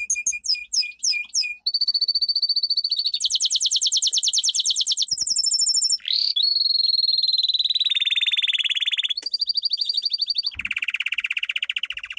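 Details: Powerful domestic canary song for training: a few quick high notes lead into one rolling trill after another, some buzzy and high, others lower, sweeping and sustained, with hardly any breaks.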